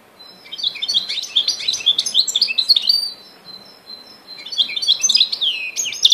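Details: Goldfinch x canary hybrid singing a rapid, varied twittering song of high chirps, buzzy notes and quick trills, with a short pause midway before a second burst of twittering.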